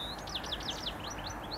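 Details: European goldfinch about 20 m away in sunny, scrubby ground near Limsjön, Leksand, in spring: a quick run of bright, liquid, high, tinkling twittering notes, about six per second, over a soft steady hiss.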